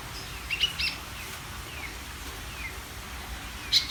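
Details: Greater green leafbird in constant song meant to excite other birds, a quick pair of bright high notes early, a few soft descending chirps, and a sharp loud burst at the end, over low hum.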